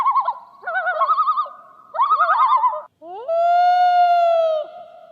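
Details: A loon, a North American bird whose howling is heard at night, gives three short bursts of quavering, laughing tremolo, then a long, smooth, mournful wail that swoops up and holds steady.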